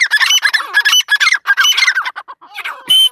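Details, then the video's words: Female partridge in a loud, rapid series of raspy, squawking notes with ringing whistled overtones, almost continuous, ending in one sharp whistled call. "mdi ke Awaz # tetar sound # Teetar Voice"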